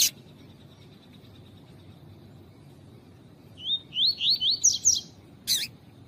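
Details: Double-collared seedeater song with female calls, used to excite males: a quick run of about six short rising whistled notes climbing in pitch over one second, then a sharp click-like burst, above a steady faint high tone and low hum.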